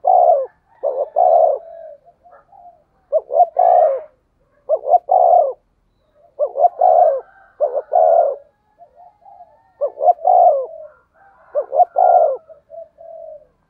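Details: Spotted dove giving a 'thunder voice' call meant to excite and attract other doves. Low, throaty phrases of two or three quick coos and a drawn-out final coo repeat steadily, with softer murmurs between them and no other sounds.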